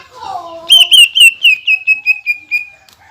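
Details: Greater green leafbird singing a rapid-fire burst meant to rile other leafbirds: about nine quick downslurred whistled notes in a tight, fast run, preceded by a softer lower murmur.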